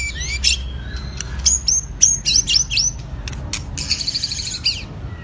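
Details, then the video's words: Wild-caught White-rumped shama of two seasons, singing in training: a fast, varied run of high sweeping whistles and sharp repeated chips, ending in a buzzy trill, with a low background hum. "chòe lửa tập lực.lửa bổi hai mùa | murai batu"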